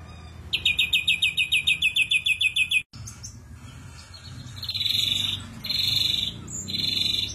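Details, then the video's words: Ashy drongo in harsh 'shot' style. A quick string of scratchy high notes runs for about two seconds, then breaks off abruptly, followed by three broad, buzzy, grating bursts each lasting under a second. "Tembakan Kasar Srigunting Abuabu"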